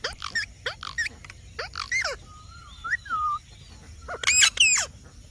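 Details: Parrot in a talking compilation giving chirpy, rising syllables, a thin sliding whistle in the middle, and a loud harsh squawk pair near the end.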